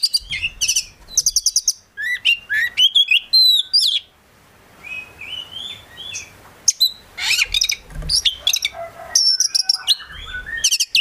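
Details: Oriental magpie-robin, a promising kept bird from a collection, delivering a lively full song rich in varied phrases: rapid buzzy bursts and clear upslurred whistles, a softer warbling stretch midway, then dense high trills again.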